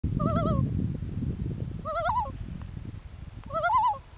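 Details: Loon calling at night: three short, quavering, wavering calls spaced about 1.5 seconds apart, each rising slightly then warbling lower, over a steady low rumbling background noise.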